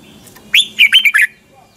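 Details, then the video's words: Red-whiskered bulbul singing a morning training song in the double, tightly twisting voice style: one brisk phrase of about five liquid, slurred whistled notes that rise then fall, lasting under a second, with a faint low hum behind. "Luyện chào mào hót sáng, hót hay - Giọng kép xoắn tít, kích chim căng, luyện chào mào hót"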